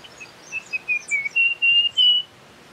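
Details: Russet-crowned warbler phrase of about seven whistled notes, short and slightly falling at first, then lengthening and climbing in pitch toward a loud final note, with faint high chirps behind.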